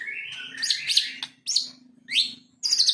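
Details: White-rumped shama, a contest-trained Medan-type bird, delivers short bright upslurred whistles and quick high chips in separate bursts with brief silences between, over a faint steady hum.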